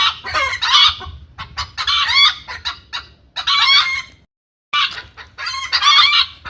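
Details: Hen giving repeated loud, raspy cackle bursts, each about half a second long, with one clear silent break midway.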